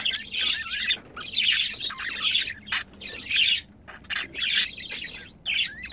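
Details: Two budgerigars mating keep up a scratchy, bubbling warble in phrases of about a second, with wavering whistled squeaks and short silent breaks.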